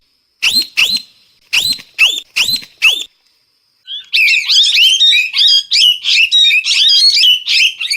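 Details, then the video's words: Parrot starts with a string of evenly spaced harsh rising squawks, pauses briefly, then bursts into fast, continuous, scratchy chattering of many overlapping shrill notes. "เสียงนกแก้ว, Parrot sound"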